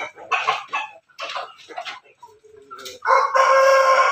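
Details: Backyard chicken of Pelung, Bangkok and Ketawa cross ancestry: a few clipped clucks and soft low notes, then a loud, rich harmonic crow begins near the end and holds steady to the close.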